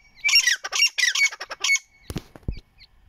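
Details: Young partridge chicks enjoying the sun give a quick series of high, shrill, slightly falling peeps, about six in under two seconds, followed by soft knocks and rustling.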